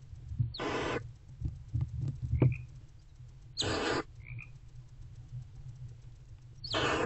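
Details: Barn owl mother and owlet bonding in Owl Box C at about 4:45 am, February 2024; three raspy hisses spaced a few seconds apart, with soft scratching sounds in between.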